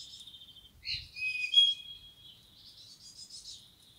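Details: Wild common blackbird giving a thin, high twittering phrase with squeaky, slurred notes, loudest near the middle and fading into soft trailing chatter in an otherwise quiet setting.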